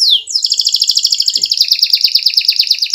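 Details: Canary lure song, played to prompt other canaries into rolling and full song: a fast, even trill of bright, high notes repeated several times a second, held for nearly three seconds after a short opening rising whistle.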